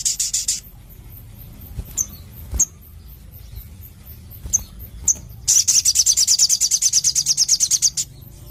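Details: Crimson sunbird, a caged songbird kept for its song, giving a short high trill, scattered sharp chips, then a sustained rapid trill of high ticking notes for about two and a half seconds.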